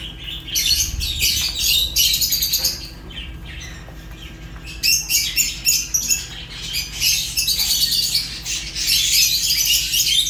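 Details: Fischer's lovebirds, African lovebirds, give rapid, sharp chirps several times a second in uneven runs, with a quieter stretch in the middle before loud chattering returns.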